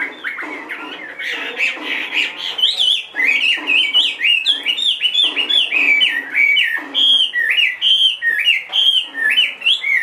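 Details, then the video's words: Two-and-a-half-year-old caged Chinese hwamei, large-bodied and said to sing in any setting, opens with rough, harsh bursts, then shifts to bright, fluty whistled notes that rise and twist, repeated about twice a second. "hót mọi địa hình"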